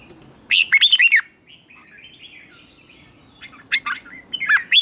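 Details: Morning song of a red-whiskered bulbul, used to train a newly caught bird to sing in contests: a quick burst of bright, slurred warbling notes, a quiet stretch with soft distant chirps, then another lively warbled phrase closing the clip.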